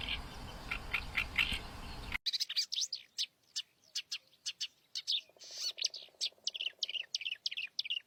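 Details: Oriental reed warbler (Acrocephalus orientalis) singing in the wild, in its natural habitat: a loud, harsh, chattering song of rapid repeated notes, with a short buzzy drone partway through after an opening stretch of noisy background.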